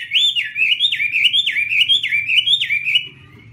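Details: Chinese hwamei singing while waving its wings: a fluent chain of bright whistled phrases, each one swooping down and then up again, repeated about twice a second before stopping abruptly.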